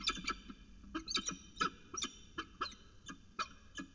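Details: Peregrine falcon at its nest at CSU Orange on 25 September 2018, taking another late snack; harsh, rasping notes rich in harmonics, repeated in an uneven series of about ten calls over four seconds, with brief quiet gaps between them.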